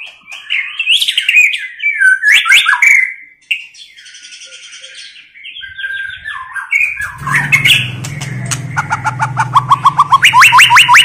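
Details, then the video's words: Tạch líu female-voice song of the white-rumped shama, meant to excite weak or listless males to fight. Warbled, slurred whistles give way to a rapid series of sharp repeated chips over a steady low hum. "Chòe lửa tạch líu giọng mái kích lửa"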